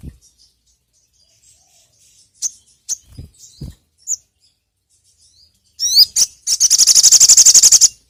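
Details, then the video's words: Sogon (ruby-cheeked sunbird) song used as a lure call: scattered thin high chirps and a few soft taps, then two sharp notes and a fast, buzzy, very high trill of about twenty rapid pulses. "PANCINGAN BURUNG SOGON"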